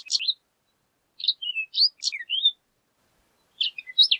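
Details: Horned lark, or shore lark, giving a high tinkling song of short chirps and slurred notes in two bursts separated by a silent gap.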